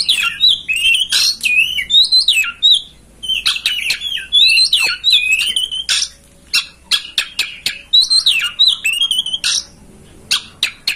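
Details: Kacer, the oriental magpie-robin, singing a master song used to coax a home bird into spreading its tail and singing; fast medley of warbled whistles and harsh squawks, then a run of sharp repeated clicks toward the end.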